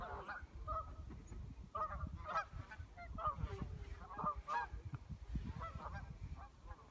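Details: Geese at Lake Leota Park, Evansville, Wisconsin, on November 21, 2015, after the season's first snow, calling a great deal at sunset: many overlapping nasal honks from several birds, continuous, over low rumbling background noise.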